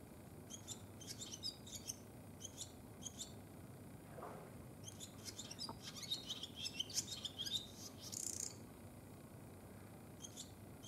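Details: Barn swallow male courting a female at the nest in midwinter, 7 February 2020, in a cold region. Soft, distant twittering with scattered high chirps builds to a brief grating rattle near the end, over a steady background hiss.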